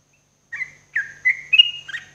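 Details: Morning song of a sooty-headed bulbul used as therapy for caged birds: short whistled phrases after a brief pause, each note sliding up and then holding steady, ending in a higher bright note.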